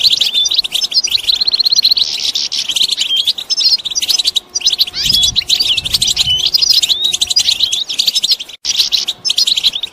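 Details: Many European goldfinches twittering together, a batbata chorus for stimulating males to sing and mate; dense, unbroken high chatter with buzzy trills and slurred whistles, one brief dropout near the end.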